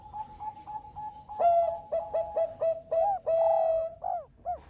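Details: Bangkok-type zebra dove singing to set other birds calling: a run of short even notes over a faint steady tone, then rapid stuttering coos building to a long held hoot and two arched closing notes.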